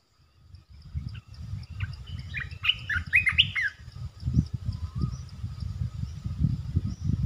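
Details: Resident red-eyed bulbul calls a quick cluster of jumbled liquid notes, partly masked by steady low rumbling noise that grows louder through the recording.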